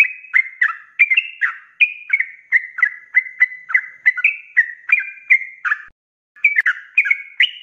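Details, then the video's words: Trucuk, or sooty-headed bulbul, pouring out rapid 'ropelan' song for cage-bird training: quick bubbly whistles about three per second, broken by one short silence before resuming. "SUARA ROPELAN BURUNG TRUCUK GACOR"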